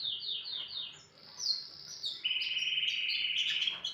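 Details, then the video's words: Canary in morning song: a few quick descending whistled slurs, a short gap, then high sweeping notes leading into a loud, fast, steady rolling trill held to the end. "اجمل صوت للكناري"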